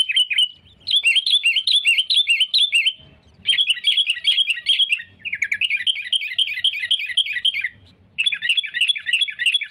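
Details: Continuous chattering of a sooty-headed bulbul, meant to attract rivals for trapping: rapid bright notes strung into long bursts, briefly interrupted by gaps and soft low knocks.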